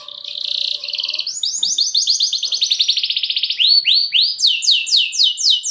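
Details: Canary singing a long lure song to excite other canaries: a buzzy trill, then fast rhythmic chirps gathering into rolling repeated downward sweeps.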